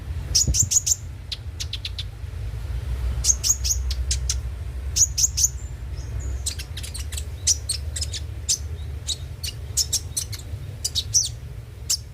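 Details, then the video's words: Brown-throated sunbird, locally konin, heard as a lure to get birds singing daily: long run of rapid, high, clicking chirps in clusters, with a few short whistles and a steady low hum beneath. "pancingan suara burung KONIN agar rajin bunyi tiap hari"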